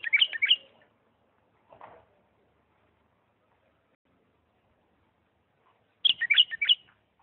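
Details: A Diyala bulbul in 'lisanat' style song gives two short, rich warbled phrases about six seconds apart, with a soft lower note between them.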